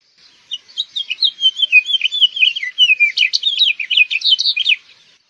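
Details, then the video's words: A house finch delivers a fast jumbled warble, starting with thin sweeping notes and ending in sharper, steeply slurred chirps, lasting nearly five seconds with no other sounds. "House Finch Song"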